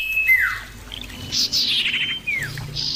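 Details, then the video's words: Common iora exchanging calls, meant to encourage another bird to sing along: falling slurred whistles and a brief buzzy burst, with faint insect background. "pancingan burung cipoh suara jernih dan keras"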